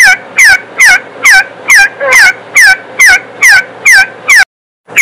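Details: Partridge giving loud, harsh, downward-slurring calls in a steady series, about two per second, with a short silent break near the end; no other sounds.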